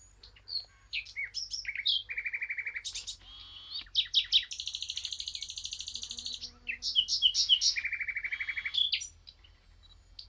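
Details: Eurasian blackcap in full song, loud varied warbling mixed with fast even trills and buzzy runs of repeated notes, rising and falling through the phrase.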